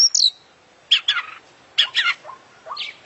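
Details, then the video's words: International champion oriental magpie-robin in an 'isian' song: a high whistled note, then harsh buzzy chirp bursts spaced about a second apart, with short low upslurred notes between them. "Full Isian Juara Internasional Burung KACER Gacor"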